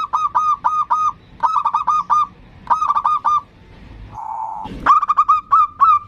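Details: Local zebra dove singing in a lively 'ndudut' variation style, used to lure and provoke a rival; phrases of rapid, rolling, mellow coos repeated about every second and a half, a brief low hum, then a final run of coos.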